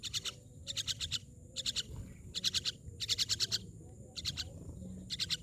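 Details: Myna calling in rapid grating chatters, each burst of four or five raspy pulses separated by brief pauses, over a constant high whine and low rumbling background.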